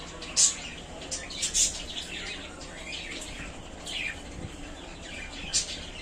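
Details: Budgerigars happy in their new cage call in uneven bright chirps, roughly fifty notes a minute, some loud piercing peaks mixed with softer high twitters over low background noise.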